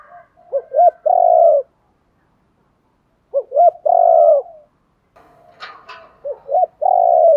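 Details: Repeated spotted dove coo phrases, used to lure wild doves: two rising hoots leading into a long steady coo, given three times about every two and a half seconds, with a brief rustle between.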